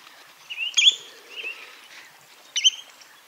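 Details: Spotted redshank: a loud, clipped note, then a softer rising whistle, then another sharp note almost two seconds later, with quiet chirps in the background.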